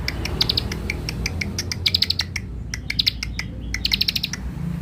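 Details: Young ciblek (Bar-winged prinia) used as a lure bird, giving quick clicking bursts of high, buzzy notes in short clusters that recur roughly every second over a steady low hum.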